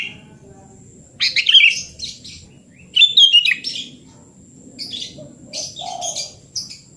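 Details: Sooty-headed bulbul in full song, its natural voice, played as therapy for a bird that has stopped singing: two bright, bubbling whistled phrases about two seconds apart, then softer chattering notes over a low background hum.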